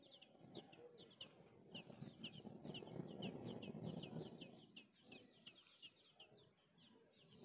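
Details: Thin, high Tickell's thrush nestling cheeps come in quick bursts, several a second, as the parents feed them at the nest, over a loud low rumble of noise that swells mid-clip.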